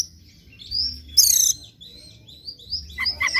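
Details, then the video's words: Morning Oriental magpie-robin song, used to goad a bird into full singing; thin sustained high whistles, one loud buzzy burst, then a rapid series of clipped notes at the end. "PANCINGAN KACER PAGI HARI AGAR NGOTOT NGEPLAY BONGKAR ISIAN"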